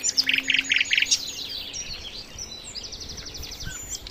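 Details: Sikatan londo flycatcher singing rich master song for training songbirds: a quick run of four bright, buzzy chirp clusters, then a fast ticking trill of high repeated notes, over faint background hum.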